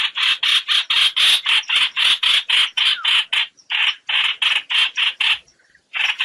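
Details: Trao trảo bird calling its flock, a lure sound for net trapping: dense, rasping chatter repeated quickly, with short pauses near the middle and end.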